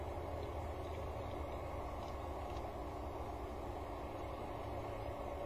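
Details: Steady mechanical engine hum with a constant tonal whine throughout.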